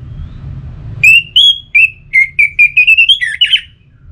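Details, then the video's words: Orange-headed thrush singing a pacingan phrase: about a dozen pure whistled notes delivered quickly, mostly level or gently rising, speeding into a tumbling run before stopping, with faint low rumble behind. "Memacu Burung ANIS MERAH dengan Suara Pacingan Agar Selalu Berkicau Pagi Siang Malam TIdur"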